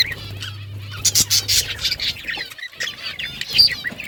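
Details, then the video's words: Budgerigars, kept as pets, chirping: overlapping soft warbles and short whistled notes mixed with sharp rasping bursts, several birds calling at once, with a low steady hum during the first half. "Beautiful Australian parrots chirping sounds"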